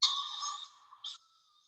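A Barred Owl's begging call: a raspy, hissing rasp of about half a second, then a brief higher burst, rising at the end like a question.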